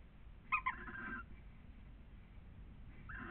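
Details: Wild breeding pair of barn owls mating at a nest camera in Cabañeros National Park, Spain: a short squeaky, harmonic double call followed by a drawn-out tone, another brief call near the end, over faint steady hiss.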